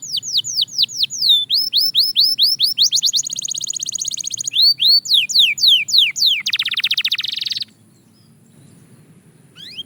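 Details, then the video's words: Belgian canary singing during daily training: runs of loud descending whistled sweeps, then a fast buzzy trill near 7.5 seconds, followed by near silence and a brief final note. "Shocking Canary Singing Progress"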